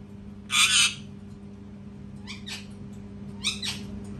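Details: A loud raspy parrot scream is followed by softer, shorter squawks with sliding tones, against a faint constant hum.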